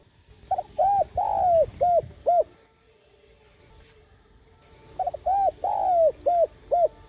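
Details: Spotted dove coo used as a lure to excite and train decoy birds: a phrase of short hooting coos with one longer drawn-out note, repeated after a pause of about two and a half seconds.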